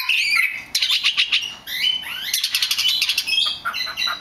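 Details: A rare black magpie robin sings a loud, varied run of whistled phrases with rising and falling slurs and quick chattering notes, nearly continuous over four seconds.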